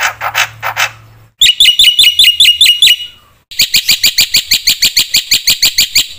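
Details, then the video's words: Black-winged myna used as a lure to provoke other mynas to sing: a few harsh notes, then a fast run of clear, sharply inflected whistles and a long, steady string of ringing repeated notes. "pancingna suara jalak putih gacor full isian"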